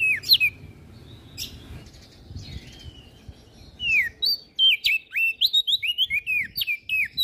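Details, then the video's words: Lively song of an olive-backed tailorbird, used to train and lure songbirds: an opening burst of whistles, a quieter pause, then a rapid rhythmic string of sharp slurred notes. "Burung Prenjak Daun Gacor Isian Pas Buat Masteran dan Pancingan Opior Jambul Macet Bunyi"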